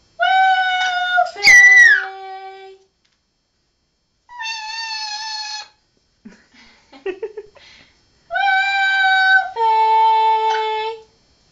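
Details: A pet red-lored amazon mimics the sounds a girl makes on her return home: three long, steady, nasal held tones, with soft kiss-like smacking clicks between them.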